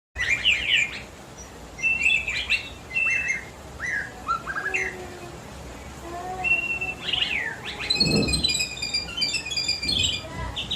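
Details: White-rumped shama singing a rich song filled with imitations of cililin, jenggot and kapas tembak: quick varied whistled phrases, sharp upslurs and trills around high pitch, loud opening bursts, then a busy chattering stretch with a brief low thump.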